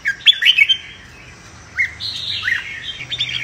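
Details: Red-whiskered bulbul giving a competitive fighting song for training: a quick run of clear whistled notes, a pause, then a rising slurred phrase and further warbled notes, with a low hum in the background.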